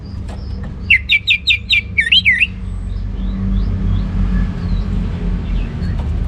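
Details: Kept orange-headed thrush from North Bali sings a short ngeplong phrase of five quick, evenly spaced looping whistles followed by a wavering slur, then falls silent while a low rumbling background continues.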